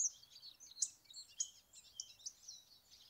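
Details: Hawfinch, 2024: faint, sharp, very high ticking notes, single clicks spaced roughly half a second apart, over a thin, soft, high twittering background.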